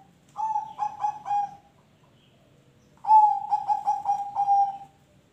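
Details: A zebra dove singing, used as a prompt for other birds. Two phrases of rapid, rolling coos on a level pitch, each closing with a longer sustained note, separated by a short pause.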